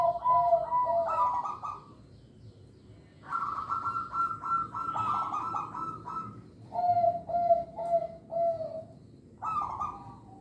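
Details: Song of a local zebra dove kept as a lure for young birds. Several loud phrases alternate clear, steady coos with long runs of quick, pulsing, vibrato notes, each phrase separated by short pauses.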